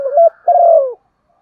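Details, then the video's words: Part of a female spotted dove's coo given to stimulate males: a short rising coo, then one long, smooth, gently falling croo. "tieng chim cu Mái kích trống"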